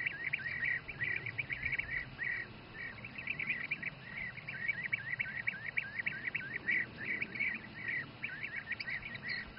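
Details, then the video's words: Bee-eaters feeding their young in the Přerov region, Czech Republic, giving a continuous stream of short rolling liquid calls, repeated several times a second, with a constant faint hum behind. "Bee-eater feeding youngsters"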